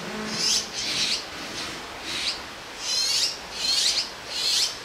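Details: Several Azure-winged magpie fledglings sit together on a branch in Jirisan National Park and beg as a parent delivers food; a dense, insistent series of high, rasping, hissy calls in quick succession.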